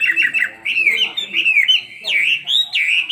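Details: Caged Chinese hwamei, two years old, in fighting song: continuous loud whistled warbling that loops up and down with brief pauses between phrases.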